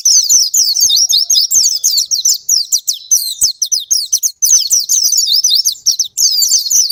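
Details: Pleci, Oriental white-eye, song played to spur sluggish captive birds into singing; long, dense, high twittering run of quick downslurred and upslurred notes, faint clicks in the background.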